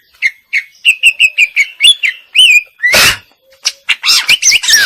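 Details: Isian-style song of a female greater green leafbird, a series of short, evenly spaced whistled notes that slide up, then a harsh noisy burst and a flurry of quick rising and falling whistles.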